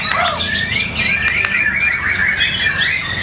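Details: Caged white-rumped shama (murai batu) singing at a regular practice singing contest: rapid high whistled phrases and rising trills, with sharp clicks, over a dense chorus of other contest birds and low background hum.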